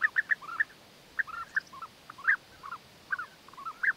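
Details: European bee-eaters courting, the male offering food gifts to the female; rolling, slightly descending calls in short clusters of two or three, separated by brief pauses.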